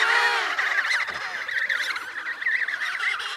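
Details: Wavering, trilled whistles from Emperor penguin chicks in Antarctica as they eat snow for hydration, a steady chorus of overlapping warbling calls with a few sharper trills.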